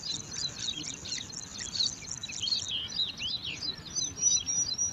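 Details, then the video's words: Bar-winged prinia chicks, five in a nest in alang-alang grass, competing for food: quieter, thin high chirps and short rising squeaks from several young over a soft hiss. "Lima Anakan Burung Ciblek Rebutan Makan"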